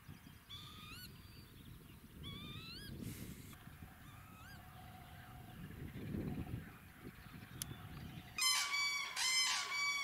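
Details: Northern lapwing near Toruń, Poland, giving slurred, rising wheezy calls every second or two; louder harsh harmonic calls from another bird take over near the end, over a low background rumble.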